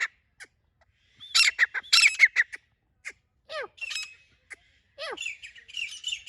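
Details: Female grey francolin calling: harsh squawking bursts and chirps, several sharply falling whistled notes midway, then quicker rising-and-falling chirps toward the end, with short silent gaps between phrases.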